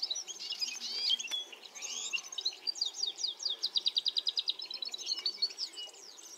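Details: European serin (Serinus serinus) singing among flowers: a high, rapid, jingling twitter of buzzy trills and tinkling notes, pouring out continuously over faint hiss.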